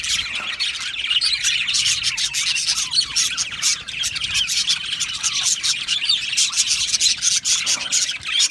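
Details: Aviary budgerigars produce a constant, shrill tapestry of twittering and rapid chirps from many birds, dense and steady from start to end.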